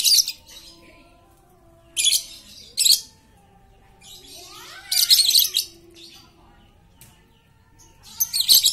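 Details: Talkative lovebird used to prompt quiet lovebirds into song: loud gritty bursts of high chatter in clusters, some doubled, separated by quiet gaps with a soft background hum.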